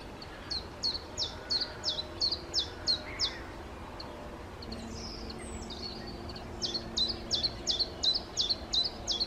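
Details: Common chiffchaff (Phylloscopus collybita) among Czech birds: two runs of sharp, evenly spaced high notes alternating slightly in pitch, about three per second, split by a brief pause with thin notes from another bird.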